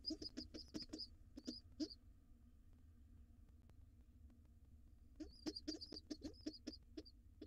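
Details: At a nest box, a wild pigeon nestling late to breakfast with its father gives quick runs of sharp high peeps, falls quiet for about three seconds, then resumes the rapid squeaking amid tapping.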